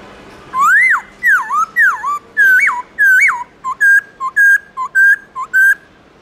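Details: In the morning, a black-throated laughingthrush gives its wild-style song. Rich rising-and-falling whistles repeat in quick succession, then give way to a steady alternation of short low notes and longer level higher whistles, close to two notes per second.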